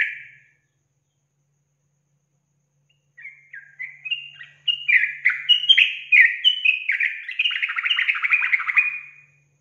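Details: Lure song of a sooty-headed bulbul for provoking untrained birds: one brief note, a pause of nearly three seconds, then rising stepped whistles that break into a lively, rapid chattering run before stopping.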